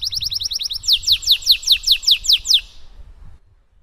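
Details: Singing canary performing a rich 'cengkok mewah' song used as a lure to get other canaries singing; quick chirps lead into a steady series of loud descending whistles, about six per second, ending abruptly.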